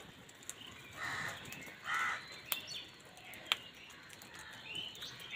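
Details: Crow call during a fight over food: two loud, rasping caws about a second apart, then fainter calls. Sharp clicks and light chirping of smaller birds are also heard.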